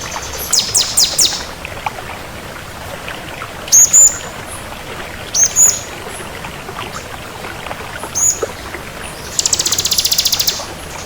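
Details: Crystal bar-winged prinia in full, active song: a few sharp high chirps, then paired rising whistled notes, ending in a short, very high, buzzy rattling trill over a steady background hiss.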